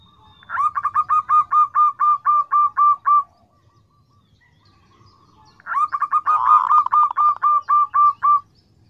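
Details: A local zebra dove, recorded for use as a lure, gives two bursts of about a dozen rapid, hooked cooing notes, roughly four per second, at a mid pitch, with a quiet gap between them.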